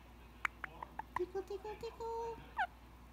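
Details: A pet male Indian ringneck parakeet relaxes during head scratches before bedtime in the evening, his most talkative time. He gives a run of sharp clicks, then short tonal notes, a held whistled note, and a final squeaky, bending syllable.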